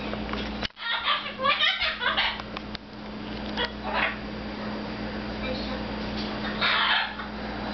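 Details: Pet red-fronted macaw talking away while having fun with its owner indoors, perched on a cage: a run of throaty, speech-like harmonic babbles over the first three seconds, then quieter bursts, with a steady low electrical hum throughout.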